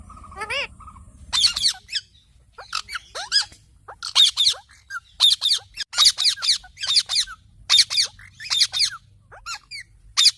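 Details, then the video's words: Pet parrot calling in a small room: rapid series of harsh, shrill squawks, often paired, with a few thinner squeaky notes between bursts, about one burst per second; quiet background. "Parrot Talking Chirping Sounds"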